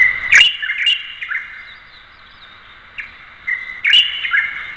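Light-vented Bulbul giving sharp, bright chirps in short bursts, a few sharp clicks among them, over a steady high background hum of other birds or insects.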